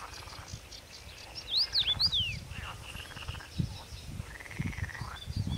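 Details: Common rosefinch at Stawy Pietkowskie, Podlasie, Poland, in May 2018, giving a brief burst of clear, slurred rising and falling whistles over steady buzzy trills from other creatures and low wind rumble.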